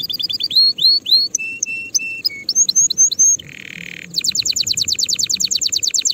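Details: Canary singing for tutoring young birds early ahead of the coming season. It has rising slurred whistles, flat sustained whistles, a short harsh roll, then a fast, regular high trill.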